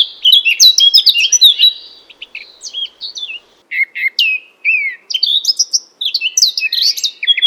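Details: Loud Eurasian Blackcap song of clear, fluted whistles and rapid slurred notes in several bursts, each phrase tumbling through varied pitches with brief pauses between.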